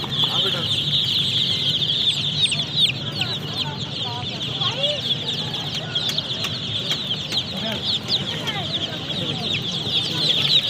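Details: Many young chickens cheep insistently, their thin, piercing peeps overlapping into a steady shrill chorus, with occasional slightly lower chirps standing out over a low background hum.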